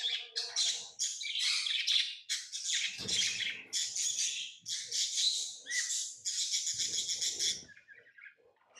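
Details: Rapid shrill chirps from pet lovebirds pour out almost continuously, scratchy and high-pitched, with soft low bumps mixed in, then tailing off into quieter twitters.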